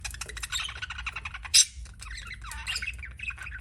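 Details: Pet budgerigar chirping in a rapid, chattering stream of short warbled notes and squeaks, with one sharp loud squawk in the middle and a low background hum.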